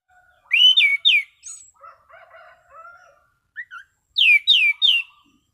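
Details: Orange-sided thrush singing in a relaxed, clear ngeplong style: three loud downslurred whistles, a pause filled with soft low warbling, then three more bright slurred whistles.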